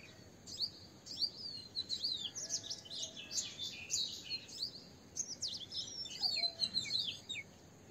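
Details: Asian green bee-eaters calling; a busy stream of high trilled chirps and short rolling notes from several birds, overlapping almost continuously, with a faint lower whistle in the background.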